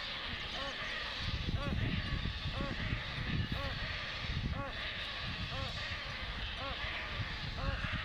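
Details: Begging painted stork chick, hungry and calling to its mother for food at Bharatpur Bird Sanctuary: evenly spaced short arched cries about once a second, about eight in all, over a low steady rumble.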